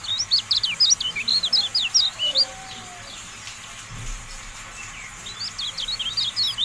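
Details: Javan white-eye song from a tutoring recording for cage birds: rapid high, twittering chirps in quick bursts, a brief quiet gap midway, then another chattering run.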